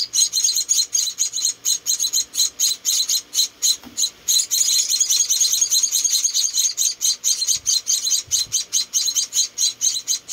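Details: Hand-fed rescued munia chicks, four in all, keeping up a rapid, almost continuous stream of high, thin chirps, with a few soft low knocks and handling sounds.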